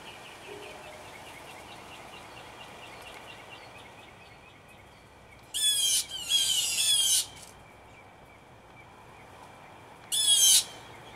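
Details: Blue jays, three to five birds in a territorial battle in a backyard tree: two loud harsh screeching bursts, the first broken into a ragged double call around six seconds, the second short near ten seconds, over faint steady background hiss.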